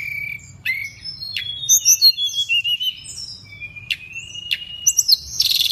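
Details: Pygmy cupwing singing vigorously in Indonesia: long thin level whistles interspersed with quick high twittering notes, ending in a buzzy burst, with a low hum in the background.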